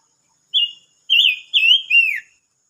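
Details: Silver-eared mesia song from 25 May 2022: one short clear whistle, a pause, then three joined warbled notes, rolling and bright, the final note gliding downward. Quiet background.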